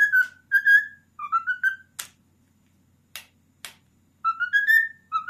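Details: Ten-year-old male cockatiel, a house pet, whistling the Addams Family theme tune in short phrases of clear, pure notes that rise and fall. Brief pauses and loud clicks separate the phrases against quiet room hum.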